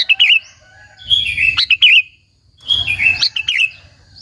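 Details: Lure song of a sooty-headed bulbul, meant to provoke other bulbuls: two long bouts of liquid, looping warbles with quick chirps, separated by a brief silence, over a low rumble.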